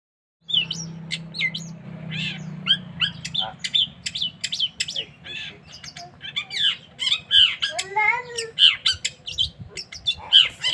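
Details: Cendet, a caged bird whose song is played to train other songbirds; a fast, varied run of sharp chirps, squeaky trills and short whistled notes, with a low steady hum beneath.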